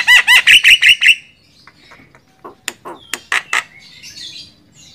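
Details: Javan myna (jalak kebo) song used as a master for training songbirds: a quick string of loud ringing arched notes, followed by sparse sharp clicks and squawks.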